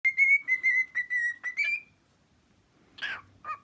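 A cockatiel gives a quick run of about seven clear, bright whistled notes on a nearly level pitch, then pauses before two shorter, rougher notes.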